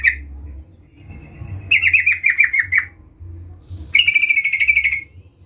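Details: Sooty-headed bulbul (trucukan) in strong voice, luring a rival: a short chirp, a thin tone, then a descending run of slurred notes and a fast even chatter of about a dozen pulses; background hum.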